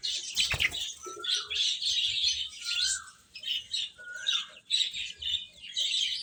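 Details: Feeding chicks giving a busy stream of high, bright peeps, a sharp knock near the start, and short lower sliding notes repeated several times.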